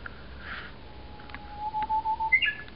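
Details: A wild Japanese bush warbler that returns every year sings loudly in early morning in an overgrown home garden in Miyamae Ward, Kawasaki, Kanagawa, Japan. A long, steady low whistle is followed by a quick higher flourish, over a hiss of background noise.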